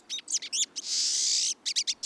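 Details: Pine siskin (Spinus pinus), a winter visitor that forms noisy flocks, gives its characteristic long, buzzy, strongly ascending zreee call, framed by quick high dry chirps before and after.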